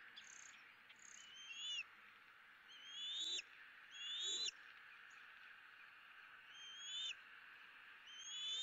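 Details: Early morning, 2 April 2017, Southwest Florida: eaglet E9 begging for food at the nest while the parents rest in a dead tree; a series of high, upslurred whistled chirps in irregular bursts, a few soft knocks, steady hiss behind.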